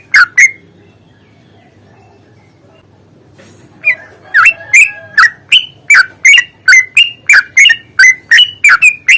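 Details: Yellow-vented bulbul in combative song, a long repeated series used as a lure to make birds sing. Two chirps are followed by a pause of several seconds, then an unbroken rapid run of bright swooping notes about three per second.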